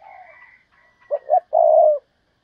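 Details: Decoy spotted dove giving a thúc bổi lure call for wild doves. A faint soft sound comes first, then two clipped coos and a sustained final coo.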